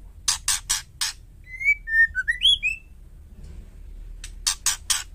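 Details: Female White-rumped shama calling to draw males into answering: four harsh rasping bursts, then a string of sweet slurred whistles, closing with another series of four scratchy rasps.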